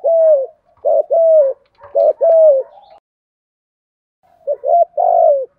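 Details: Spotted dove, thúc gù cooing in giọng thổ style: paired soft hooting coos, a short lead note and a drawn-out falling tail, then a pause of over a second before a final phrase.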